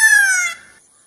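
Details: Single brief peacock cry, a loud nasal note sliding slightly downward and fading within half a second, with nothing else heard.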